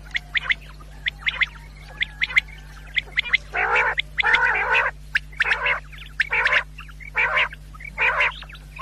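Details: A quail, recorded as a sound for hunters at night, starts with scattered short sharp clicks and chirps, then settles into harsh grating bursts repeated a little more than once a second, low hum behind.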